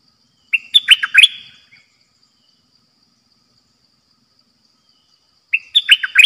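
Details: Decoy red-whiskered bulbul singing the dok taeng style: a short burst of rich, warbling whistled notes, then about four seconds of silence, then the same lively phrase again.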